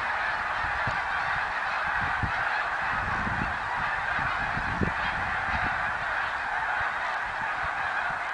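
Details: A dense snow goose chorus from 2014, overlapping honks forming a steady roar, with a few sharper low knocks around the middle.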